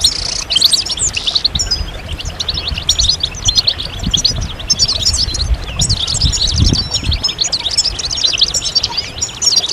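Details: European goldfinches in collective song, used to encourage moulting birds to resume singing: a long, dense wash of high twitters, trills and chirps from many birds, with some low rumble in the middle.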